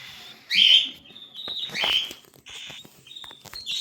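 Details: Cockatiel chicks give a loud harsh squawk followed by softer rising whistled notes and quieter raspy calls, with light clicking in the background.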